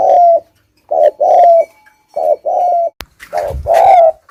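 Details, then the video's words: Lure spotted dove giving thúc gù coos, deep paired notes with a slurred ending, interrupted once by a sharp click and a brief rustling noise near the end. "Suab nquab quaj zoov heev dib tuaj 100% . tiếng chim cu gáy thúc gù"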